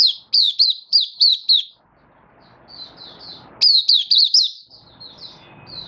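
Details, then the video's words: Cage white-eye from Malaysia singing openly (buka) in Singapore, sunny and warm, 20 March 2023: a run of sharp high slurred notes, a quiet softer passage, then another energetic twittering phrase. "Malaysian Mata Puteh Happy Buka Sing"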